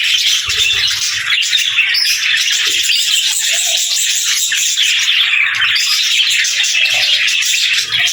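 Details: Budgerigars chattering together, a dense, continuous high warbling with scratchy chirps layered over one another and no pauses, with a few lower squawks breaking through.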